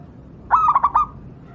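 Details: A single short zebra dove phrase, a local wild bird used as a tutor for other doves: a soft coo split into four quick throbbing pulses, lasting about half a second.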